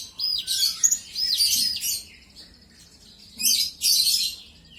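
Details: Olive-backed sunbird song as a provoking lure: two loud bursts of shrill, scratchy twittering separated by a quieter stretch with faint thin notes.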